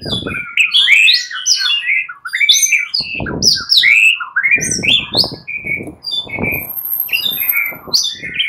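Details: Agitated fighter white-rumped shamas sing back and forth. Dense, overlapping whistled notes and quick chirps tumble without pause, mixed with soft knocking sounds.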